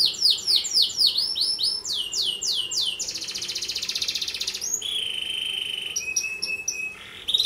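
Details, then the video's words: Canary singing as a training model for other canaries: quick rising sweeps in a series, then a dense buzzing rattle, followed by a steady held whistle and short clipped notes with a final chirp. "Suara kicau Kenari Paling diCari buat Masteran, KANARI GACOR Pancingan kenari lain"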